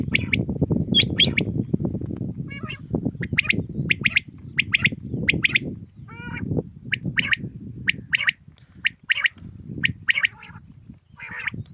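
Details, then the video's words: Common quail heard in the morning, repeating short, sharp note pairs and triplets about once a second, with a few high whistles from another bird and a steady low rumble. "Aj suba Batair Ki Awaz ki Recoding| Khali Batair ki Batair ki Awaz| Quail sounds|lCommon Quail"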